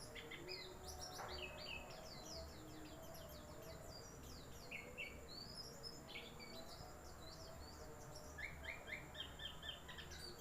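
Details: White-eye song: dense, rapid stream of high, thin descending twitters and sharp chirps, almost continuous with brief pauses, against low background rumble and a steady high-pitched whine.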